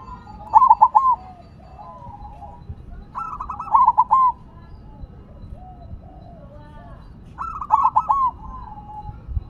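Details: Zebra dove, silver perkutut type, singing while on the ground: three loud triple-coo phrases roughly three and a half seconds apart, each with a brief rolling trill, faint doves cooing between.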